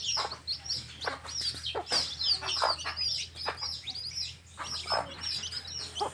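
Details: Hen's baby chicks in a field chirping busily: a dense stream of high, rapid peeps, about three per second, overlapping, with short broad clucking notes from the hen scattered through and a faint low hum beneath.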